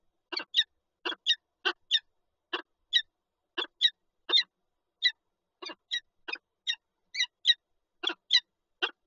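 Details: At a Lublin nest holding eggs, Poland, 19 March 2022, a Peregrine falcon pair calls in short rasping notes, often paired, repeated steadily about every half second with little background sound.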